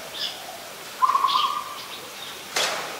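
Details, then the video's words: Adult Zebra dove in Ubon Ratchathani, Thailand, 28 December 2020, giving a short run of rapid, purring coo notes, followed by a sharp click-like noise and faint higher chirps from other birds. "นกเขาชวา (Zebra Dove)"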